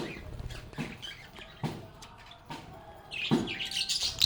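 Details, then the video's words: Lovebirds singing and playing: short high chirps and squeaky twitters in bursts, separated by sharp clicks and knocks, with a denser, louder flurry of chattering toward the end. "Lovebirds agapornis sounds | Relaxing Sounds of Singing, Playing, and Talking Parakeets"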